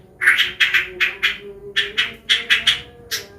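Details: White-rumped shama of the Medan type, a training recording meant to teach young birds and lure them into singing: a run of eleven short, bright, buzzy chirps repeated about every quarter second, with a faint steady hum beneath.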